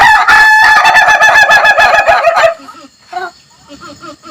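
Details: Crowing laughing chicken (Ayam Ketawa) rooster. A loud, rapidly pulsed crow runs for about two and a half seconds, then fades into a few soft, low clucks.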